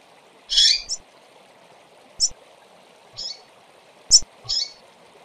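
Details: Calls of female double-collared seedeaters: one fuller buzzy chirp followed by four brief, high, clipped notes spread across five seconds, with a constant low background hum.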